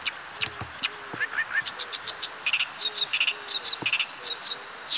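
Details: Oriental reed warbler in Kita-Harima, central Hyogo, Japan, singing while deftly catching insects that come near: rapid harsh chattering, repeated clicky and creaky notes in a steady stream, with occasional short rising whistles nearby and a constant hum of background noise.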